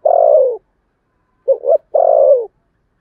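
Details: Spotted dove giving contest cooing in the Sấm Thổ voice style: a long, full coo sliding gently downward, then two short clipped notes and a second long falling coo, with clean silence between.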